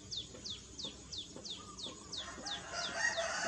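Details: A plaintive cuckoo, filmed eating a caterpillar, gives a steady run of high, thin, down-slurred whistles, about three a second, as a rising hiss of background noise builds toward the end.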